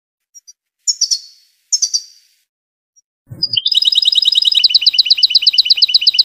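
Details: A Tunisian European goldfinch twitters twice, then after a dull thump launches into a long, fast, ringing trill of evenly repeated buzzy notes lasting nearly three seconds.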